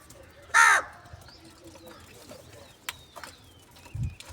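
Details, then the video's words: Crow calling for food in the morning, one loud harsh caw lasting about a third of a second, followed by faint thin whistles of other birds and scattered clicks and knocks. "Crow Call For Foods , Crow Morning Foods"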